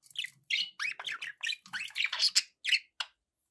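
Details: Pet budgerigars warble continuously in fast, varied chirps and rising and falling squeaky notes, with a few louder sharp peaks toward the end.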